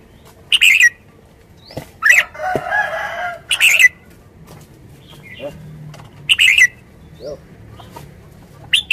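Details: Red-whiskered bulbul song: brief bright warbled phrases repeated at irregular intervals of one to three seconds, with a rough, buzzy rustling burst between the early phrases and soft low background noise.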